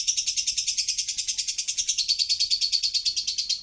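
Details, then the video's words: A lovebird's ngekek song, a long continuous chatter of fast, pulsing, shrill notes running without pause for nearly four seconds, the pitch dipping a little midway, on a quiet background. "Suara ngekek burung Lovebird"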